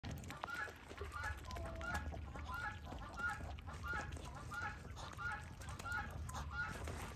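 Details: Chinese geese kept with muscovy ducks during mating, giving a steady series of short nasal honks, about one and a half per second, over a low rumbling background hum.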